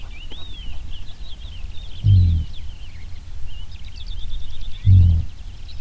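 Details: A displaying male houbara bustard gives two deep, muffled booms about three seconds apart, while small birds twitter and whistle high in the background.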